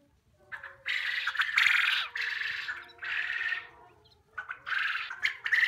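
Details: Young quail at a poultry unit, vocalizing: harsh, raspy squawks in bursts of about a second, roughly five in a row, separated by short quiet gaps, with fainter tonal notes running underneath.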